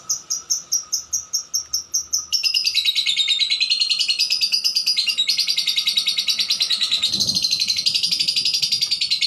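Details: A blue cobalt lovebird opens with a series of separate sharp high chirps, then breaks into a fast, unbroken stream of squeaky chatter, with a low thump near the end.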